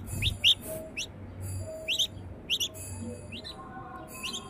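A young red-vented bulbul gives short, bright chirps in small clusters, roughly twice a second, over a faint low hum.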